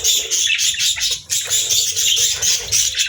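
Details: Budgerigar warbling: a steady stream of high, buzzy chirps and chatter, briefly dipping in the middle before carrying on.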